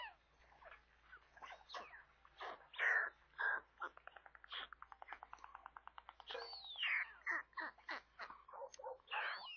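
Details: White stork chicks at a nest near Kaluga, central Russia, at feeding time on 27 May, five young including one hatched four days later; rapid rasping, chattering bursts and rising squeals, some quick clicking trains.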